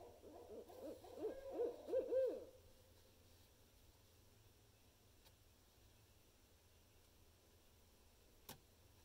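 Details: Barred owl in its rarely heard "monkey laugh": a dense, overlapping burst of cackling, arched hoots for about two and a half seconds, followed by near silence broken by a single sharp click.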